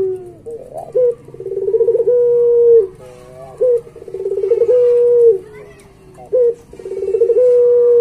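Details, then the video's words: Barbary dove of the puter pelung type repeating its song three times, each a short rising note followed by a bubbling rolled coo and a long level hum, recorded to teach pet doves. "Suara Masteran Puter Pelung Gacor Paling Bagus"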